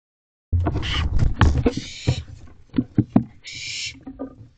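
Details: Barn owls in an owl box squabbling over a mouse at 4:20 am on 14 June 2023. There are three harsh, hissing screeches mixed with thumps and scuffling in the box.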